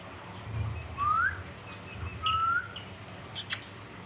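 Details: Ring-necked parakeet calling to another parrot: two clear, rising whistled notes about 1.3 seconds apart, then a few sharp clicks and brief high squeaks near the end, against a low background hum.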